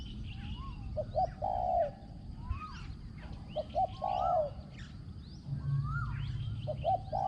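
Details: Spotted dove used as a ground decoy, credited with a small, resonant voice and fine cooing. Phrases of two quick notes and a drawn coo repeat, mixed with rising whistles from other birds.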